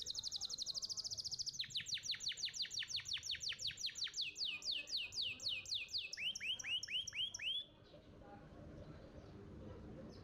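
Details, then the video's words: Canary master song for training young birds to sing: a very rapid high trill, then a long run of descending notes, slowing into curved upswept notes before falling quiet near the end. "Pancingan Kenari Muda Cepat Bunyi & Ngeriwik – Masteran Kenari Juara Gantangan"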